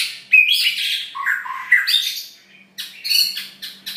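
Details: Long-tailed White-rumped Shama singing with mimicked phrases: harsh, scratchy buzzing notes mixed with lower warbled whistles, then a series of high rasping chips after a pause, over a faint steady low hum.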